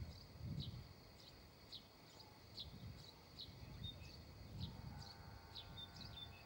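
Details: Female redstart calling in spring: a series of short, high, downslurred notes spaced roughly every 0.7 seconds, fairly even in rhythm, over a low hum. A faint steady tone enters near the end.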